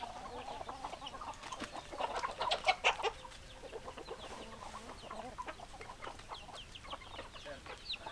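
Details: Hens and roosters in a chicken flock: loud bursts of harsh clucking near the start. Quieter clucks and sparse high peeps follow.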